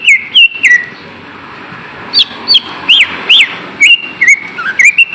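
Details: Lure song of the green leafbird to get lazy kept birds singing: a couple of slurred whistles, a quiet gap, then bright upswept notes and short flat whistles in an uneven rhythm.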